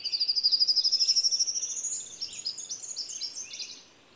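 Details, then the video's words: Indigo Bunting singing: a rapid, high, buzzy trill that rises slightly, then breaks into quick paired and chirped notes before fading out. "Indigo Bunting, atau kenari biru"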